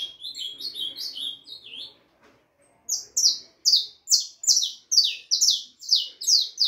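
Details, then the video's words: Four-and-a-half-month-old harlequin saffron finch: a softer phrase of linked slurred notes, a brief pause, then a loud regular series of sharp descending chirps about twice a second. "canario da terra filhote arlequin cantando muito 4 meses e meio de vida canario ancestral"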